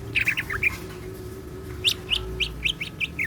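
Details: Caged greater green leafbird (cucak ijo) singing persistently in the gacor style with siklon fill-in song: short bright chirped notes, a cluster early, then a spaced run of sharp upslurred chips near the end, over low background hum.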